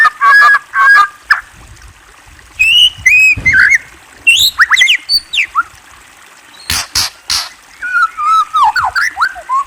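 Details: White-rumped shama in loud, varied song: bursts of rapid chattering notes, ringing whistles, sweeping slurs and harsh buzzy elements, delivered in quick irregular phrases with short pauses between them.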